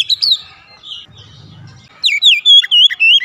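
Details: Kacer, the Oriental magpie-robin, singing gacor to coax a silent bird into voice: a bright opening whistle, a quiet gap with faint low rumble, then a clear series of slurred, descending and looping whistles.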